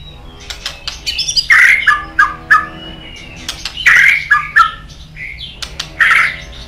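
White-rumped shama singing rich, varied phrases of sharp clicks and loud fluty whistles, a new burst every two seconds or so, over a faint low hum.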